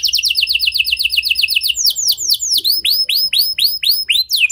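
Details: Canary singing a unique lure melody meant to prompt other canaries: a rapid high rolled trill giving way to louder, slower arched whistled notes repeated several times per second.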